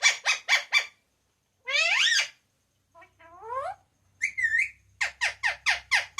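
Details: Talking parrot at home, loudly saying papa and mummy; opens with quick triple notes, then a drawn-out harmonic phrase and a rising slur, closing with a rapid run of sharp notes.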